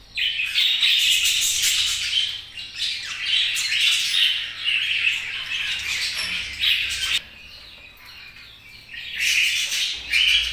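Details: A group of budgerigars chirps busily, overlapping high warbled chatter and scratchy squawks in surges, with a quieter lull of a couple of seconds before the chattering swells again.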